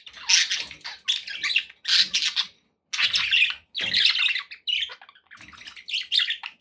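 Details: Budgies kept as pets, calling in separate loud bursts of harsh chatter and squawks about one per second, with short silent gaps between.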